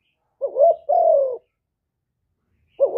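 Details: Single spotted dove phrase in hap boi voice from a full song of calling, urging and cooing, recorded without noise: a quick wavering note and a longer smooth falling coo, then silence before another begins.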